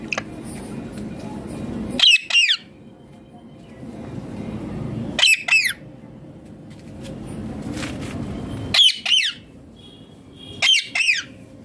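An Indian ringneck parakeet gives four bursts of harsh, shrill double squawks, each pair dropping in pitch, a few seconds apart over a low background hum.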